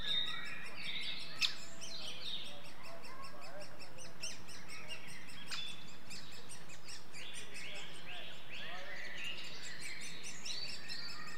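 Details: Great spotted woodpecker nestlings keep up a dense, high chatter of overlapping squeaky calls at a nest-hole as adults come and go feeding them, with a steady low background rumble; Clyne Woods, Swansea, Wales, May 2014.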